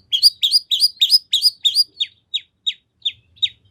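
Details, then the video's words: Long-tailed shrike in lively song used as bait so other shrikes respond: quick paired rising chirps, then slower single downward-sliding notes spaced about a third of a second apart. "Kicau Cendet Gacor Full Isian Nagen! Ampuh Dijadikan Pancingan Agar Cendet Langsung Nyaut"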